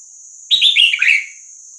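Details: Red-whiskered bulbul of the Vietnamese type singing the 3-4-5-6-7 style, used for tutoring young birds and rousing them: one bright warbled phrase of four or five slurred whistles stepping downward, with a constant high hum behind.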